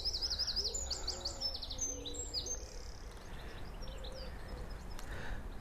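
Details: On a UK morning by a woodpecker-holed tree, a Eurasian wren sings about eight to ten feet from the recordist: a burst of rapid, high, sharp trilled notes for about two seconds, then softer background birdsong and a low murmur.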